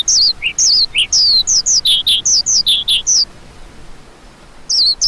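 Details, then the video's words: Lark giving a quick run of high, wavering, slurred notes about twice a second, then a pause of over a second before the calls start again. "Lark Calling Sound"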